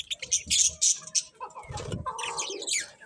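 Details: Budgerigars, colourful pet birds, chatter in loud, rasping high chirps and warbled notes, mixed with some lower murmuring sounds.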